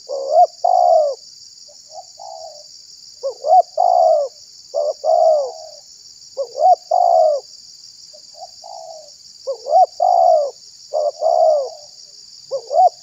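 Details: Spotted dove cooing as bait to attract wild doves and provoke others: many repeated phrases of short rising notes leading into longer falling coos, steady over thirteen seconds, with a continuous high hiss.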